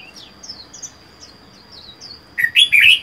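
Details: Solitary caged Red-whiskered bulbul, wild-caught, four months captive: light, fast, downslurred high chirps, then a strong burst of three loud warbled notes at the end, against a steady high whine.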